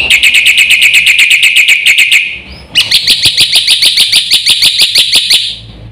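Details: Black-winged myna (jalak putih) singing gacor with full content, meant to stir other birds. Fast run of loud, sharp repeated notes, then a brief gap and a new series of higher ringing notes at a steady pace.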